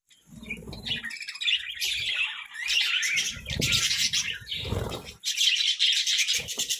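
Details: Several pet budgerigars chirp while feeding on colourful vegetables, a dense chatter of high warbling and scratchy notes, with low munching and handling noises in between and short pauses.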